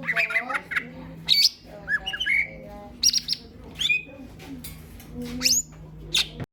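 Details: Green leafbird singing as a lure for other birds. Chattering warbled notes open, followed by scattered high squeaky whistles and downslurred chips over a constant low hum.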